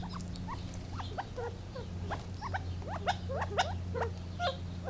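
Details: Busy chatter of Gambel's quail: dense, irregular upswept chirps and soft notes from several birds, steady low hum underneath.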